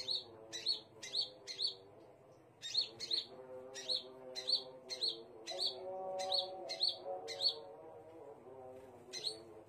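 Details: Scarlet minivet song: clear, short sweeping chirps in quick sequences, pausing around two seconds in, then resuming in a long even series over low background drone.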